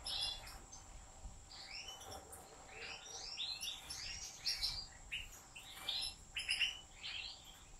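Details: Goldfinch in the care of professional breeders, caged, singing a slaka-style phrase: a quieter sequence of clear sliding whistles and chirps, spaced notes growing denser and louder toward the end over a faint background hiss.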